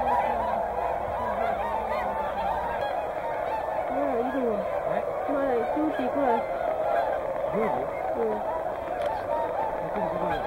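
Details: At Hyoko, Niigata, Whooper and Tundra swans call in a thick, unbroken honking chorus, while a person's voice talks over the birds at intervals.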